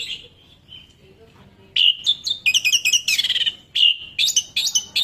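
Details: Orange-headed thrush singing loud, varied song: soft whistles, then bright rapid phrases of clear whistled notes, trills and sharp chirps strung together with short pauses, over a faint murmur of background noise.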